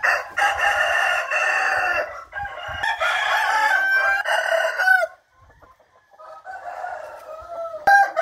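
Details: Several roosters crowing on a morning, 8 April 2021, their hoarse, overlapping calls running together for five seconds, a brief lull, then another fainter crow rising in the background.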